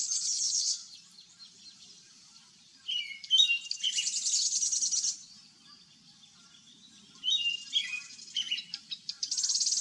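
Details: American Robin singing in Vancouver, Canada, in nesting season: short, clear caroling phrases in two bursts, broken by pauses and mixed with thin, high chirps, over a faint low hum.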